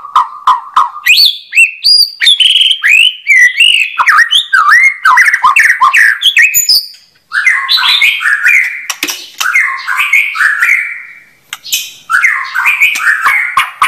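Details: White-rumped shama in full song: low repeated whistles at first, then a long, varied cascade of rapid slurred and chattering phrases, continuing almost without pause.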